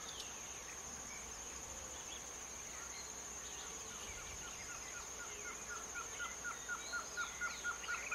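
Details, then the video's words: Planalto tyrannulet recorded at São Mateus do Sul, Paraná, Brazil, giving a steady series of short, clipped whistled notes that grow louder and quicken toward the end, with faint other bird notes and a constant high hiss. "Phyllomyias fasciatus (piolhinho) Planalto Tyrannulet"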